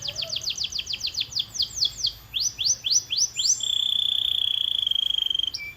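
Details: Canary training song: a series of fast downward-sweeping high notes, then rising slurred phrases, ending in a long steady high buzzing trill.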